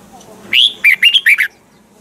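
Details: Single phrase from a caged Red-whiskered bulbul's double-note old-forest training song: a bright rising whistle followed by four quick warbled notes, all within one second, then quiet.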